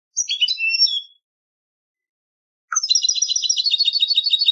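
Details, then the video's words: European goldfinch song from a singing-contest recording: a quick tinkling twitter, a pause, then a fast run of bright, slightly buzzy notes about three per second; no other sounds. "cd concurso jilguero"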